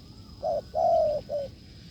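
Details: Spotted dove responding to a decoy, a wild bird with a firm coo: short hoot, longer sustained hoot, then a brief closing note, all low and mellow, with a constant high electronic tone behind.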